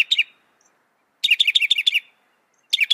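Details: Northern mockingbird (Mimus polyglottos) sings bright, high chirping phrases, one burst repeating a sharp note about seven times in quick succession, with brief silences between bursts.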